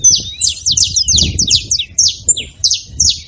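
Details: Several overlapping high chirps from saffron finches at a feeding spot, each a quick downward slur, dense at first and then spaced out, with faint low background noise.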